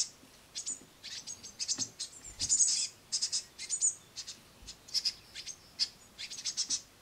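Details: Great tit brood on a window sill calling while their mother feeds them crushed madeleines; irregular high, sharp chips and short squeaky bursts, loudest in the middle.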